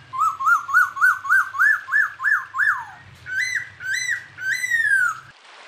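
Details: An unnamed bird on a tutoring track for cage songbirds: a rapid series of arched whistles, about four per second and slightly rising, followed by three louder, higher slurred notes, with a faint hum.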